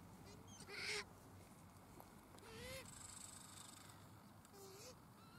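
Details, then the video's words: Pukeko (Australasian swamphen) at Waterford park, Christchurch, filmed in April 2019. A loud, strained harmonic shriek is followed by a second, fainter screech and a third weak one. Constant low rumble runs underneath. "Pukeko (Australasian Swamphen)"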